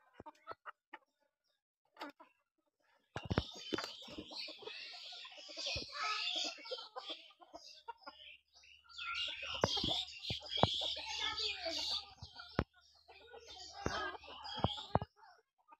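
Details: Village-kept chickens, housed with local pigeons, cluck in rapid, irregular runs over a steady hiss of background noise, with occasional human voices and sharp knocks mixed in.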